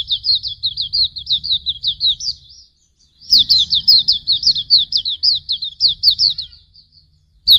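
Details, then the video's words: Hume's white-eye (auriventer) song used as a tutor recording: two fast runs of high, sharp, downslurred chirps, about five per second, separated by a short pause, with a low rumble beneath. "Masteran Suara Burung Pleci Auriventer"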